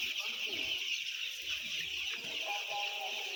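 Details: Roughly ten thousand white chicks cheeping in a thick, continuous high chorus, with a few lower sliding notes heard briefly beneath.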